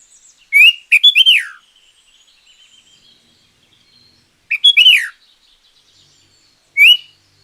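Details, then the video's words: Sooty-headed bulbul singing loudly, a recording meant to lure wild bulbuls or train silent ones: three well-spaced phrases of bubbly, slurred whistles with a rising-falling lilt, separated by quiet gaps of several seconds. "Suara Pancingan Burung Kutilang Gacor Juara.Cocok Untuk Masteran Burung Kutilang yang Malas Bunyi."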